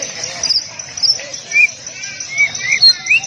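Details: Tight-shot masteran of the Oriental magpie-robin for caged birds: sparse sharp high notes early, then several short rising whistles and upslurs toward the end, over a faint background hiss.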